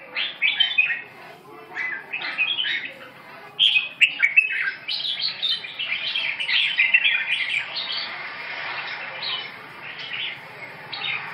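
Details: Red-whiskered bulbul giving a lively run of quick, fluty, chirping notes, nearly continuous and irregular, loudest in the first half, easing into softer twitters toward the end.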